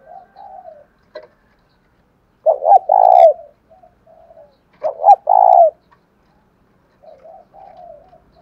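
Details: Caged spotted dove in đồng thổ style song: two loud phrases, each a pair of short hooked notes then a sustained rolling coo, framed by soft, low cooing at start and end.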